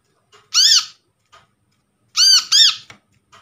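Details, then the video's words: Brown-throated sunbird lure call from a trapped bird: a loud, squeaky, down-curving note, then a quick pair of similar nasal squeaks, with soft ticks in a small room. "PANCINGAN BURUNG KOLIBRI KELAPA Bahan hasil Pikatan ,mengatasi korlap macet bunyi"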